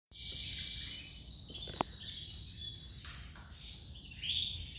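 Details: Male Giboso canary singing: a steady, high, dense warble held throughout, with one sharp click partway and faint low background noise.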